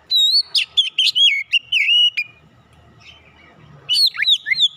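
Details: Oriental magpie-robin lure song with a lively series of whistled notes, glides and clicks, a quiet gap, then a final swooping whistled phrase.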